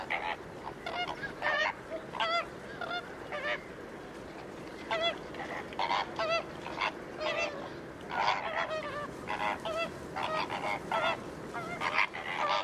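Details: Flock of flamingos at the Ludo saltpans in Portugal giving a constant goose-like honking chorus: nasal, gabbling calls overlapping in rapid bursts with no pause, many birds calling at once.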